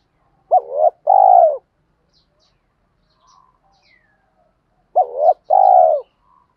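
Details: Spotted dove giving a lure coo meant to stir wild doves to answer. A short wavering note and a longer hoarse coo form each phrase. The phrase comes twice, about four seconds apart, with near silence between.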